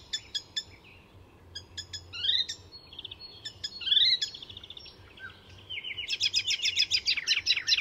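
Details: Icterine warbler at Fysingen reserve north of Stockholm, Sweden, singing a fast, varied medley of high repeated notes, sweet whistles and harsh chattering phrases, weaving in imitations of other birds; low background hum.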